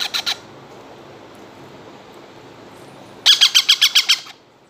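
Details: Two baby parrots, two months old, begging during hand feeding: a short burst of three harsh high squawks, a pause, then a rapid series of about eight loud rasping squawks.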